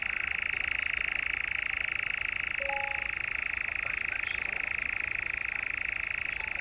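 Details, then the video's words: European nightjar in the Brecks, Norfolk, in July, giving a continuous dry mechanical churr that holds steady without a break, with a few faint short whistles from other birds in the background. "Nightjar, the Brecks, Norfolk, 7/7/17"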